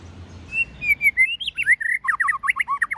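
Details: White-rumped shama singing in the forest-voice style used to stir young birds: clear whistled notes slurring downward, then a quickening run of varied, looping whistled phrases in a lively jumble.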